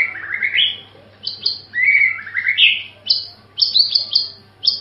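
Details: White-rumped shama singing a melodious song: a quick run of clear whistled phrases, some sliding down and others jumping up to high sharp notes, delivered in short bursts with brief pauses, over a faint low hum.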